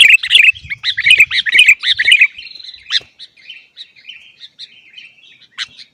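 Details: Sooty-headed bulbul in lively, noisy song used to coax caged bulbuls into singing: a dense burst of quick chattering, warbled notes for two seconds, then thinner, spaced whistled notes trailing off.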